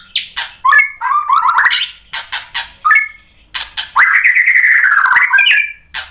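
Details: White-rumped shama in full contest song against a fighter rival. Sharp high accents alternate with stuttering rising notes, then a long wavering whistled phrase runs for over a second before one final lifted note.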